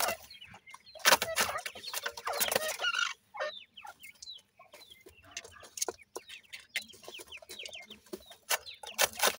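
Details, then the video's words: Francolin (teetar) chicks, 28 days old, feeding in a yard: a burst of loud scraping noise at first, then scattered high falling peeps and pecking clicks from the flock. "28 days old teetar bird chicks feeding in the yard"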